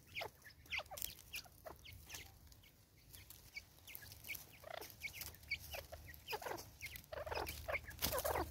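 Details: A female Natal spurfowl in an angry state, South Africa, 2024: fast irregular clucking and scratchy cackles, rising to a louder grating burst near the end, over low hum.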